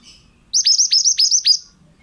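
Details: Pied bushchat, called mantenan, singing a training phrase for other birds: six quick, loud, downward-slurred whistles delivered in a tight burst lasting about a second, nearly clean background.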